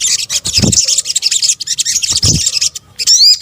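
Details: Sunbird (sogok ontong) calls, mixed into a bird-luring recording: dense, very high, thin chirps and twitters run almost without a break. Two short low thumps sound near the start and middle, and a rising whistled note comes at the end.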